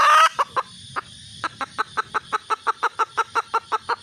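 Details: Female red junglefowl seeking a mate: a loud harsh burst at the start, then scattered clucks building into an even series of sharp notes, roughly four per second. Low rumble underneath.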